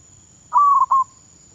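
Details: A single cooing phrase from a zebra dove being trained as a Thai decoy bird: a quick rising onset, then a fluttering level coo broken by a short gap and a final drawn-out note.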